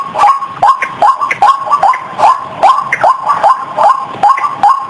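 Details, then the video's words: White-breasted waterhen lure call for attracting birds: a rapid, regular series of harsh, clipped notes repeated about two to three times per second, steady in pattern throughout. "SUARA PIKAT BURUNG RUAK RUAK"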